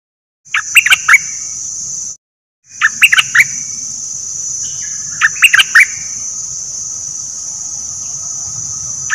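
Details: Bulbul kept as a decoy, one of three, giving brief clusters of sharp chirps every few seconds against a steady loud high-pitched whine.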